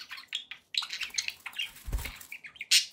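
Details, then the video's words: Pet budgerigars chirping indoors: scattered short chirps and squawky notes, with a brief pause early on and a low thump near the middle, ending in a sharp bright squeak. "relaxing budgie sounds for you"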